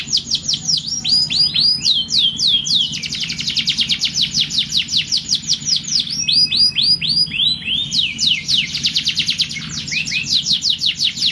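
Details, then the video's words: Morning song of a canary, played to rouse silent or young canaries: dense rolling trills of downward-sweeping high notes in changing tempos, over a constant low hum throughout. "Terapi burung kenari pagi hari. kenari macet langsung gacor"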